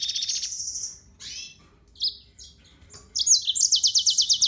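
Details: Yellow-fronted canary singing: a sustained high buzzy note, then downslurred whistles and short chirps, ending in a fast bright trill of repeated notes.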